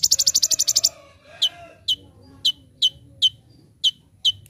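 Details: Sung by an olive-backed sunbird in full voice for a training master: it opens with a fast, harsh, high rattle lasting about a second, then a pause and spaced, sharp falling chips roughly every half second.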